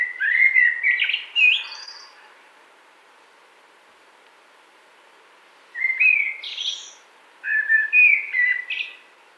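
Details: Common blackbird delivering three warbling phrases, fluty notes mixed with higher twittered endings, with a long silent gap after the first.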